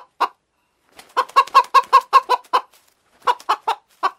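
A hen clucks in short, throaty bursts, about a dozen quick clucks in two runs broken by brief pauses. Nothing else is heard.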